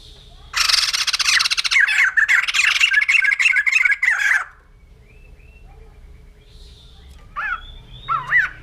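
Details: White-crested laughingthrush, known in Indonesia as poksay jambul putih, gives a burst of loud, harsh chattering cackles for about four seconds, then a pause and two short rising-falling whistled notes.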